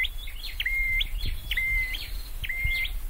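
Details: Scarlet-headed flowerpecker kept in a cage for singing training, giving three phrases of quick high chirps, each ending in a long steady whistle, with low thumps and rumble underneath.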